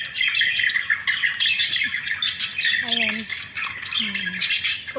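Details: Several budgerigars squabbling over the little food that is left, with constant high chirping and squawks. People talking quietly in the background.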